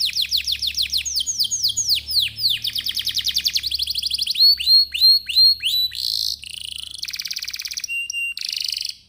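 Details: Vigorous canary song meant to provoke other canaries to sing, moving through fast rolling trills, repeated slurred downward notes, short buzzy bursts and sharp whistles in quick succession.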